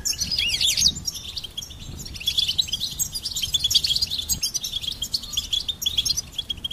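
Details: Goldfinch producing a bright, excited, high twitter with buzzy, rapid notes, at its loudest at the start, then lively chirping.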